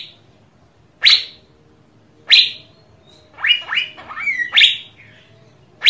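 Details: Asian fairy-bluebird in a lure recording for prompting birdsong: sharp upslurred whistles at intervals, with a middle passage of quick rising notes and a wavering liquid whistle, over soft low hum.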